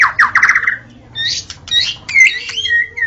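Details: White-rumped shama at dawn, a recording used for luring shamas: a fast burst of buzzy notes, a pause, then short scratchy phrases and a clear high whistle.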